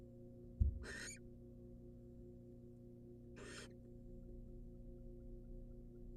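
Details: Nest box barn owl, a wild female receiving a rat from the male: a sharp knock followed by two short, rasping hisses about two and a half seconds apart, otherwise quiet hum.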